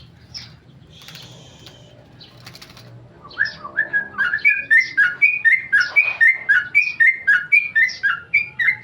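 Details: After a quiet opening, a tame male Sooty-headed bulbul launches into ropel song, a fast, steady string of bright whistled notes repeated several times a second.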